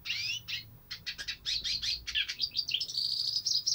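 A hooded siskin sings a fast, high twittering run of buzzy trills and sharp chirps, ending in a thin sustained buzz.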